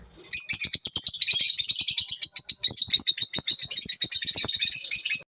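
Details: Lovebirds chirping in the morning, a dense continuous stream of high, rapid chattering twitters running for about five seconds with little pause, several birds overlapping in a steady excited chorus.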